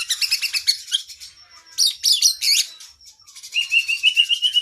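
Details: Oriental magpie-robin singing vigorously, a long varied training song for cage birds: fast bursts of high chirps and trills, a pause, then a rhythmic run of sweet whistled notes repeated about four times a second.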